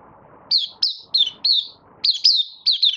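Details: Malaysian Oriental white-eye, a captive bird coming into form during a light moult, August 2023. Clear, descending chirps come in quick succession, roughly three per second, over a faint low background rumble.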